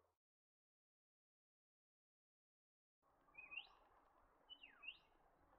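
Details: A Black-faced Monarch (Monarcha melanopsis) calls, giving two brief, high whistled notes that sweep upward, about a second apart, after a silent start, over a steady low background rumble.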